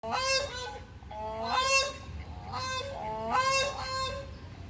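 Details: Grey crowned crane, also called African crowned crane, calling loudly: a series of about four rich, nasal, honking notes, each starting low and jumping upward, spaced roughly one to one and a half seconds apart.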